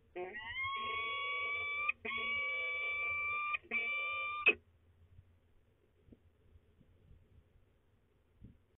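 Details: At a peregrine falcon nest in De Mortel, Netherlands, recorded 28 March 2020: three sustained, even-pitched nasal wails in quick succession over about four seconds, then near silence with a low hum and soft scattered ticks.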